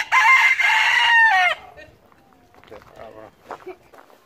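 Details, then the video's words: Rooster walking freely around a farm, a bold farm bird, gives a loud harsh crow of about one and a half seconds ending in a falling tail, followed by quiet clucking and soft farmyard murmurs. "Hanen galer"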